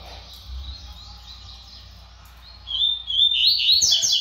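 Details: Brown double-collared seedeater showing its speed: after a quiet start it bursts into a fast, high, twittering warble of quick notes, with a faint low hum beneath.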